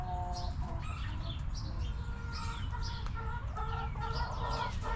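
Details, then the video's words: Backyard chickens in a coop: scattered hen clucks and drawn, nasal calls mixed with sharp high chirps from wild birds. "Rooster Crowing! Hens Clucking!"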